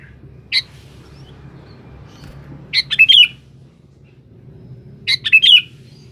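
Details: Sooty-headed bulbul (kutilang) in full song while calling a rival, a lure recording: three short bubbly, warbled phrases, the first a single brief note, then two richer phrases about two seconds apart, over a low steady hum.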